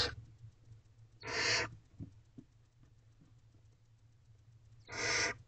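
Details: Young barn owls in a nest box, fed by their mother after midnight in April; a harsh noisy screech at the start, another about a second later and a third near five seconds, with faint soft clicks between over a low hum.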